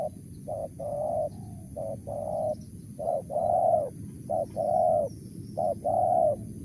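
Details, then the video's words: Mersik-style cooing of a spotted dove: a brief clipped coo followed by a longer rounded one, the short-long pair repeated four times, mellow and even-pitched, against steady low hum. "BL suara Mersik"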